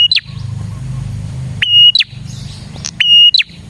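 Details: Lure song of a prinia for attracting prinias: a crisp whistled note held briefly, then dropping sharply, repeated roughly every second and a half, with a low hum and faint chips behind.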